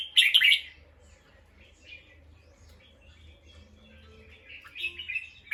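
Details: Harsh scolding chatter from a bulbul alerted by a sound, loud at the start and again at the end, with quiet twittering and a low steady hum between.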